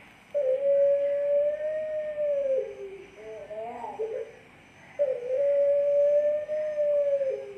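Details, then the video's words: Pelung turtle dove from a top and middle class competition line, Central Java, delivering a long flat coo ending in a drop and a rippling flourish, then beginning the next coo. "Contoh Irama Puter Pelung Trah Lomba Kelas Utama dan Madya"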